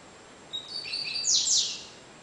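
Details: Double-collared seedeater (Sporophila caerulescens), cigano song style, about 30 songs per minute: thin high level notes rising in pitch, building into a loud, dense, buzzy run of high descending sweeps.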